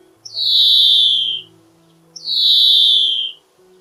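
A European greenfinch gives two long, nasal, buzzy wheezes, each about a second long and sliding downward, with a pause between. A faint low hum sits underneath.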